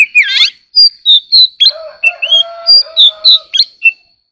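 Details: Oriental magpie-robin stimulated to sing competitively. It opens with a harsh twisting note, then gives a steady flow of short, sweet whistles at varying pitch over a low, smooth, sustained tone.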